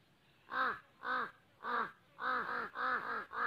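Slender-billed crow giving six harsh, nasal caws, each about a quarter-second long, in a loose series roughly two per second.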